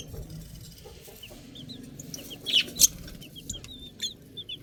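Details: Baby chickens peeping: sparse, high, short downward-slurred peeps scattered through the clip, with a few louder ones near the middle, over a low steady background rumble.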